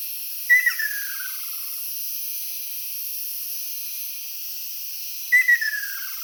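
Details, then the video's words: Two descending rolling trills from a Ryukyu ruddy kingfisher about five seconds apart, each opening on a sharp clear note, recorded 17 May 2022 on an island where the species was calling everywhere, over steady insect-like hiss. "リュウキュウアカショウビンの鳴き声 【Ryukyu Ruddy Kingfisher】"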